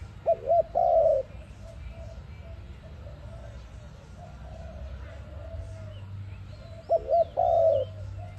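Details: Dove call meant as a lure for trapping, ARIMIX type: two phrases about six seconds apart, each a quick double note followed by a drawn-out, slightly falling coo, over a steady low hum.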